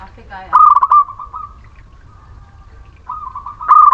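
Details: Local Muria zebra dove song meant to draw reluctant doves into singing. A rapid run of coo notes trails into a long, gradually fading tone. A fresh phrase starts near the end, after a short chirpy sound at the start.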